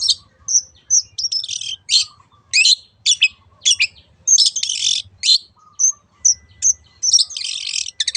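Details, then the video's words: Long-tailed shrike, 'teot teot' song used as a lure for other birds. Thin, clear whistled notes alternate with loud, rasping, buzzy bursts, delivered in irregular spurts. "SUARA BURUNG CENDET TEOT TEOT pancingan AGAR BURUNG MANAPUN IKUT GACOR"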